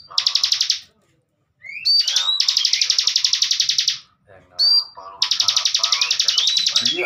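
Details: Caged bar-winged prinia (ciblek bren) used as a training master for young birds. Bursts of fast high buzzy trill are broken by slurred whistles, with softer lower sounds and possible voices in the background.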